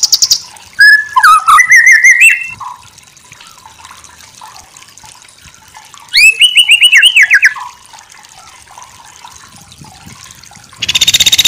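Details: Masteran song of a white-rumped shama (murai batu): two bursts of fast cascading whistles and chattering notes, separated by several seconds of quiet hiss, with a harsh buzzy rattle starting at the end.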